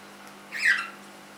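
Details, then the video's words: Pet cockatiel, three months old, uttering a single brief harsh rising-then-falling screech in a quiet room with a low constant hum. "My cockatiel - Fish 3 months old"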